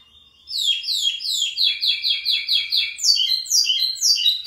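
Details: Local lined seedeater singing strongly: a fast, continuous run of high bright warbled and trilled notes, each phrase sliding downward, repeated about twice a second with no pauses and no other sounds.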